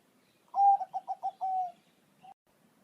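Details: Bangkok zebra dove in song, recorded to make other pet doves answer. A loud opening coo is followed by four quick pulsing coos and a sustained falling note, then one short faint coo.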